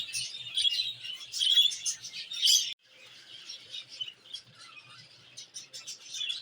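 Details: Budgerigars in an aviary colony, singing while playing and feeding: loud dense chirruping warble at first, then softer scattered chirps and a low rising-falling whistle, with faint soft knocks below.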